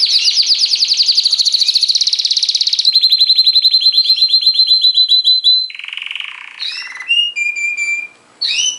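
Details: Canary in full song: a long rapid trill of bright high notes, then a steadier rolling tour near the top, a short lower buzzy section and scattered clear whistled notes to finish.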